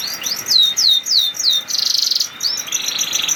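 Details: Canary song used to stimulate lazy canaries to sing: repeated down-slurred whistles about three per second, then a fast buzzy trill and more slurred notes.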